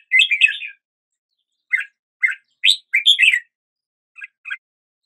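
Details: Red-whiskered bulbul in morning song: an opening tumble of warbled notes, then spaced short chirps and a richer phrase of rising whistles, closing with two faint soft notes; no background sounds.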